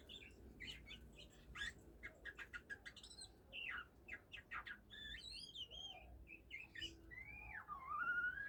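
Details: Oriental magpie-robin kept for pairing and breeding, beginning to sing: a quick series of clipped chirps, then warbled, looping whistles and a long sliding whistle at the close.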